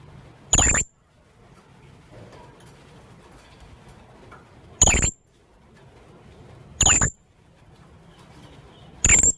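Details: Young blue-crowned hanging parrot calling, recorded as a lure: four short, piercing high squeaks at uneven gaps of two to four seconds over faint background hiss.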